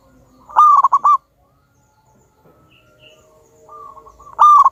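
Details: Wild local zebra dove recorded as a lure to start other doves singing. A loud, broken coo of several quick notes, a quiet stretch with soft distant cooing, then another loud phrase begins.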